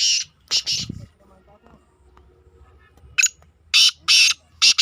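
Black francolin giving harsh, grating, high-pitched notes in two loud clusters separated by a quiet pause, with faint low background noise.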